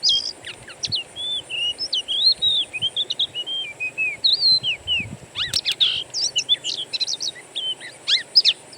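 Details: Oriental magpie-robin song from a wild-bird lure recording: a flowing series of curved whistles at first, then a burst of sharp chips and mixed quick notes, continuous throughout, over faint hum.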